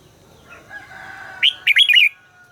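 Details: Voice training of a red-whiskered bulbul: a faint, steady tonal drone first, then one quick, lively phrase of four or five warbled notes.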